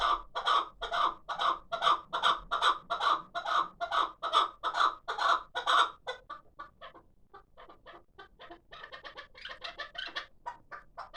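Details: Hybrid chukar partridge, six months old and kept as a calling bird, delivering a steady run of loud, harsh chuck notes about twice per second. Midway these give way to quicker, softer, chattering notes.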